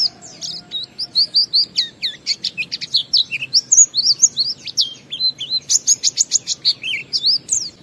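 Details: Ngalas-style singing from an Oriental white-eye, played to lure other white-eyes into song: a rapid, continuous run of high, sharp chirps and whistled slurs, jumping up and down in pitch with barely a pause.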